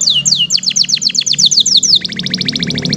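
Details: Canary in full, lively song with rich varied phrasing: a run of fast descending whistled sweeps repeated about five times a second, then a rapid, even, buzzy trill, over a low steady hum.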